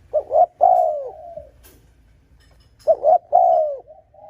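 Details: Two loud cooing phrases from a Spotted dove, meant to provoke rival males. Each has two clipped notes and a long downward-curving coo, with a short soft tail note at the end.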